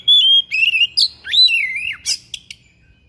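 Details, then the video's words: Thick-billed kacer (magpie-robin) in sharp, persistent song, unloading its copied phrases: a long clear whistle, then swooping slurred notes dipping and rising, ending in short harsh buzzy bursts; quiet low hum beneath. "KACER PARUH TEBAL SUARA PERIH NGOTOT BONGKAR ISIAN"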